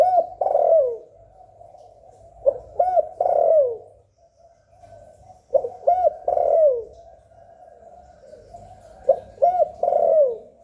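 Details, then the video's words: Spotted dove (cu gáy) in hạp bổi voice, recorded to make newly kept doves call: three deep, hollow phrases, each a short note, a paired coo and a lengthy falling coo, roughly every three seconds. "Tiếng Chim Cu Gáy Giọng Hạp Bổi CHIÊU THÚC BỔI. kích bổi nhanh nổi"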